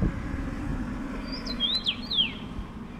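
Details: A single whistled phrase from a common rosefinch, recorded with a Fujifilm X-T3: a few slurred, swooping notes, with a steady low engine rumble underneath.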